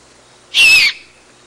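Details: A juvenile great horned owl at night in July or August begs its parents for food with a single harsh, hissing screech about half a second long, loud and raspy with a slightly falling whistle inside it.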